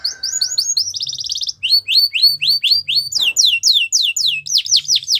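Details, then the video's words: Russian canary singing a training song, rapid repeated phrases: a dense buzzy trill, then downward-sweeping whistled notes about four per second, shifting into quicker chirped series; a faint lower whistle at the start. "Russian Canary Singing | The Best Canary Training Song"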